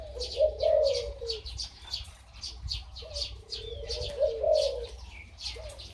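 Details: Hybrid dove, nearly one year old and described as having a big, deep voice, gives two deep, rolling cooing phrases a few seconds apart, with thin high chirps from small birds in the background.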